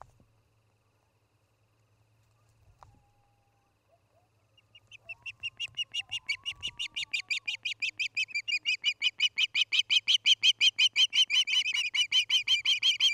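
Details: At a Charlo, Montana nest on an August 2018 evening, an osprey gives a long, rapid run of high whistled chirps, nearly three per second, swelling steadily louder; a few faint lower whistles come first, over a low hum.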